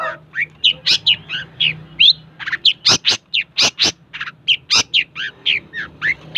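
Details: Long-tailed shrike in full, lively song; a rapid string of loud, varied notes, sweeping whistles, harsh chips and mimicked phrases, about three notes a second, over a faint low hum.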